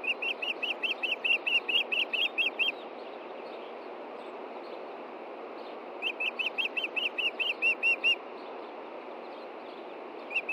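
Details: Osprey calling at a Montana nest on a June 2013 evening, searching for a fish hidden after the chicks were fed. Two bursts of quick, high whistled chirps, about a dozen and then nine, separated by several seconds of background hiss.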